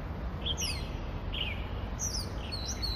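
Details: Varied, scattered whistles and slurred high notes from an Oriental magpie-robin in Hong Kong, taken with a phone voice recorder, amid a constant low rumble of background noise.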